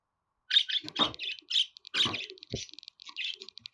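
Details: Budgerigar chattering in a rapid, uneven run of squeaky chirps and scratchy warbled notes, with a few soft clicks and taps underneath; no other animals heard.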